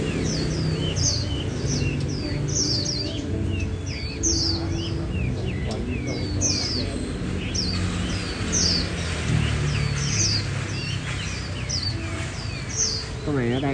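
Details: A warbling white-eye, a captive bird offered for sale and still in training (its song a little mixed up), gives a quick run of thin, high chirps and twitters, repeated about once a second. Steady music plays low underneath.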